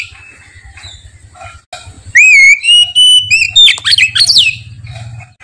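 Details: Oriental magpie-robin singing loudly and clearly, without pause: a rising whistle that levels into long, pure sustained notes, then a quick burst of varied chirps and trills. Low hum underneath.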